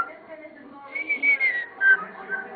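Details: Caged pet common starling singing and mimicking indoors: a few clear whistled notes, one long gently falling whistle then a brief higher note, over a soft murmuring background in a small room.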